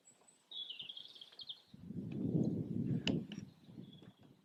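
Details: Red kite, one of a pair displaying over a garden and farmland in Yorkshire at lunchtime on an overcast 24 February 2021; a drawn-out, wavering high whistle lasting about a second, followed by heavy wind rumble and a sharp click.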